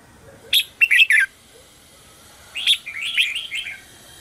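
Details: Red-whiskered bulbul lure song recorded in the morning for training birds and calling wild ones. A short burst of three crisp chirps is followed after a gap by a softer, rambling warble.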